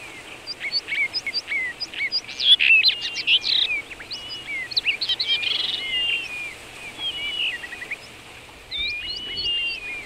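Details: Common rock thrush singing in Shahdag National Park, Azerbaijan: a rich, varied warble of fluty whistles and quick chattering notes in bursts, with sliding whistled phrases near the end, over a faint steady background hiss.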